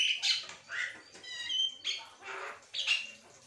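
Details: Asian pied starling singing on and on: short groups of harsh notes alternating with clean level whistles, about two phrases a second, loud and close.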